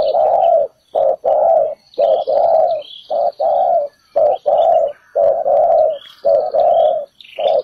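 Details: Spotted dove decoy calling to lure birds into a ground trap: low hollow coos in pairs, a short note then a longer one, repeated steadily about once a second, with faint high chirps of other birds behind.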